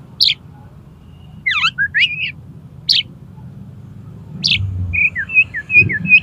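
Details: Oriental magpie-robin (kacer) singing in the konslet style, played to make another magpie-robin open its tail: scattered sharp high whistles and quick down-up slurred notes, then a run of short warbled phrases, over a low steady hum.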